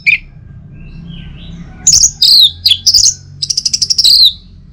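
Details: Orange-headed thrush song for morning stimulation: one opening whistle, quiet, then a burst of high slurred notes ending in a fast trill of about ten repeated notes and a downward whistle.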